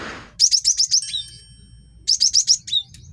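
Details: Male cinereous tit, kept as a song tutor for training birds and as a lure for trapping, sings two bursts of rapid, high, sharp two-note phrases, each burst about half a second, separated by a pause.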